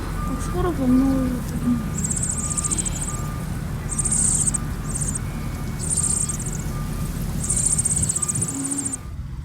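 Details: Meadow bunting nestlings responding to their parent with begging calls: high, shrill, trilled buzzes in bursts roughly every two seconds, a soft low whistled note near the start, steady background hum.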